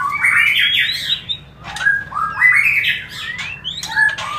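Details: White-rumped shama mating-lure song: loud rich warbled phrases climbing in pitch, a short pause, then another rising run of whistles ending with sharp clicks and a falling note.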